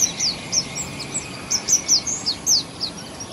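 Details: Sunbird, a common Indian bird, singing in a garden: sweet, high-pitched notes that sound loud and musical, given as short downslurred chips in an irregular series over faint background noise.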